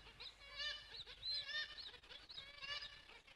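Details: Black-legged Kittiwakes at a coastal splash point give nasal, wailing calls that rise and fall in rapid overlapping bursts, like a busy seabird colony. The bird is named after this call.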